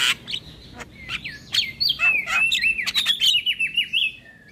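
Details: Javan myna song intended to lure mynas and starlings: a lively run of high whistled notes and wavering trills, many bending up and down, delivered in quick succession after a few sharp opening chirps.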